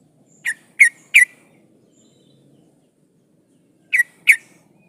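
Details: Breeding female sooty-headed bulbul calling the male: short, sharp, slightly downslurred chirps given singly or in twos and threes, with pauses between groups.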